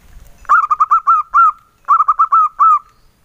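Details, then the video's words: Male local zebra dove giving soft engkel-style song: two mellow cooing phrases, each a fast run of short rounded notes closing with a longer smooth coo. The background is quiet. "SUARA PERKUTUT LOKAL JANTAN, SUARA ENGKELnya YG EMPUK BANGET"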